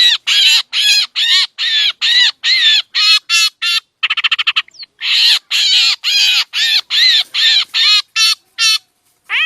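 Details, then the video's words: Lure sound of a black drongo for trapping, Laos and Isan, said to pull in mynas as well: rapid rasping notes, interrupted midway by a fast clicking rattle, then the harsh series resumes. "ສຽງຕໍ່ນົກແຊວ ນົກອ້ຽງຂາວກະເຂົ້າ || เสียงล่อนกแซงแซว เข้าฮอดนกเอี้ยง"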